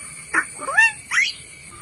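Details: Myna mimicking human speech in Malayalam: three voiced, harmonic syllables, the first dropping steeply, the second a rising then falling sweep, the third sharply rising, each under half a second, separated by brief quiet gaps.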